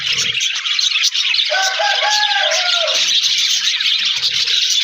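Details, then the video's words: Budgerigars in an aviary colony: a dense, continuous wash of high chatter and warbling from many birds, with a clearer whistled phrase of wavering tones in the middle. "Best Beautiful Budgies Parakeets Sounds Budgies Talking Video"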